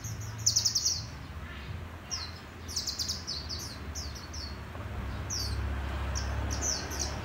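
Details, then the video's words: Sunbird, a group of red sunbirds, giving high, thin chirps and short sweeping twitters in scattered bursts, with a steady low hum underneath. "Mê Đắm Với Dàn Chim Hút Mật Sting Đỏ Chót"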